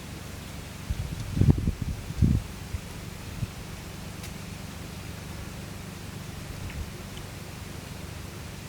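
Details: Low rumbling wind-like noise with a few soft rustles and knocks near the start.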